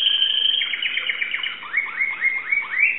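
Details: Singing Timbrado canary, Greece, 2009, holding a sustained high note before switching to a bouncing run of upward-hooked syllables repeated several times a second.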